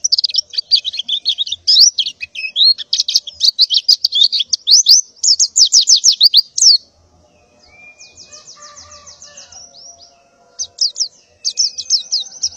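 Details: Female white-eye in breeding condition calling males in the morning, pouring out loud high twittering and rapid trills, then a quieter pause with soft chatter and a buzzy trill before the chirps resume.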